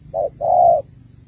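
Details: Spotted dove hen from Malaysia cooing to stir a male: a single short coo followed by one longer, even coo, clear against a quiet low background.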